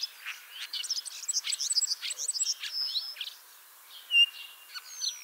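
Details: Ringed common starling with an injured leg, Liepāja, Latvia, spring 2023: a fast rattling series of rhythmic clicks and bubbling notes, then a sharp loud whistle and softer trailing phrases.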